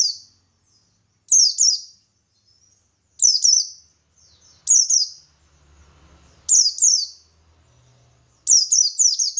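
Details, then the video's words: Buxtoni white-eye calling in ngalas style to draw replies from other white-eyes; paired high descending whistles repeated about every two seconds, ending in a quicker run of four notes. "Burung Pleci Buxtoni Gacor Ngalas Memancing Emosi Paling Ampuh"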